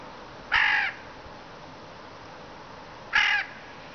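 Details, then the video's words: Eurasian jay mimicking caws: two short, harsh, hoarse caw-like calls about two and a half seconds apart over a steady background hiss. "Сойка грачи и мяука / Jay caws and meows"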